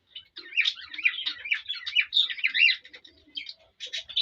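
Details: Male cockatiel chirping and whistling toward a female to stimulate mating, a dense, tumbling jumble of bright chirps and slurred whistles with soft low notes underneath, ending in a few separate sharp calls.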